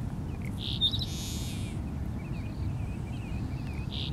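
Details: Seaside Sparrow in a saltmarsh behind Wrightsville Beach, North Carolina, on 8 April 2015, gives a short, sharp introductory note and a dry, buzzy trill under a second long, over low wind rumble, with faint chips afterward.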